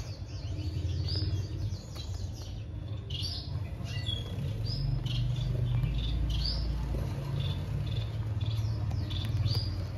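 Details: Breeding society finches give a steady stream of short, high, thin chirps and twitters, some rising or falling, scattered quickly through the moment over a constant low hum.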